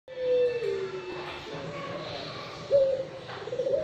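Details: Five-month-old young Barbary dove (puter pelung), offspring of a first-prize contest bird, giving low cooing notes: a drawn-out coo at the start, then a louder rising coo near the end.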